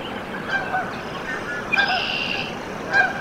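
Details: Canada goose nest in Decorah, Iowa, USA, 14 April 2024, goslings hatching: scattered short piping notes and a couple of rough honk-like bursts, about one every second, above low steady hiss.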